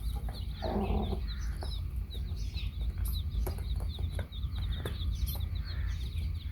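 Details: Baby chicks with their hen: one brief low cluck near the start, then a continuous high twittering of chick peeps mixed with clicks and taps over a deep background rumble.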